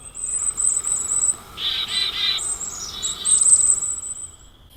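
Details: Black-capped Chickadee high-z alarm call, as given when threatened by a predator: very high, thin, drawn-out seee notes, with short, harsher chattery bursts lower down between them.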